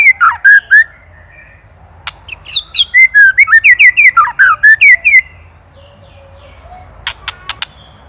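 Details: White-rumped shama song from an Indonesian master recording for training songbirds: bursts of slurred whistled notes around mid-high pitch, a rapid run of rising and falling phrases, then a few sharp clicking ticks near the end.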